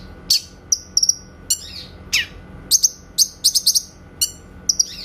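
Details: Grey-cheeked bulbul giving a clear 'tembakan' song, recorded for training white-rumped shamas: sharp descending chips and quick doubled high whistles in a lively, broken sequence over five seconds.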